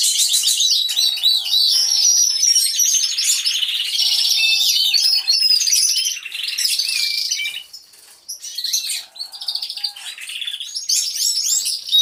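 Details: Many canaries singing together in an aviary, caught by a hidden camera. Dense, overlapping high trills and rolling warbles continue almost without a break, with short whistled notes woven through and a brief quieter dip near the end.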